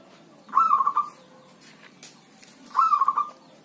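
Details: Zebra dove (perkutut), a healthy kept bird, singing in rain or drizzle: two clear rolling coo phrases of quick stuttered notes, about two seconds apart, against quiet background noise.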